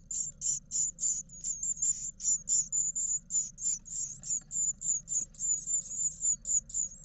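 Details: Great tit nestlings, nine of them aged eleven days, begging as parents feed them inside a nest box in Israel; high sibilant begging bursts pulse quickly and regularly, nearly four per second, over a low background hum.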